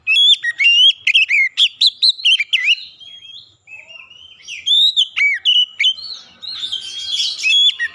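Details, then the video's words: Lure song of an Oriental magpie-robin, meant to prompt silent birds into song: eight seconds of varied, clear whistles, sliding and warbling notes in quick succession, briefly softer midway, with a scratchy, buzzy passage near the end. "kicauan jernih Kacer pemikat | KACER macet bunyi langsung ikutan gacor"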